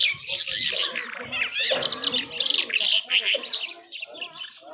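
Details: Powerful nonstop song from an Irani Mashadi jhal skylark: dense, fast, twittering and buzzy high phrases mixed with swooping slurred whistles, tailing off more quietly near the end.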